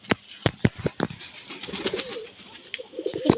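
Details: A domestic pigeon, held in the hand after being picked up by mistake, calls with a soft, low, throaty cooing murmur; sharp knocks and handling noises come at the start. It is kept at a home loft in Medhapara.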